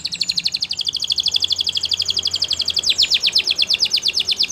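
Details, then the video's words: Belgian canary singing a continuous, high, rapid trill of evenly repeated notes that shifts to a new, brighter rolling phrase near the three-second mark, with a faint low hum underneath. "Belgian Canary Song That Fascinates Everyone!!"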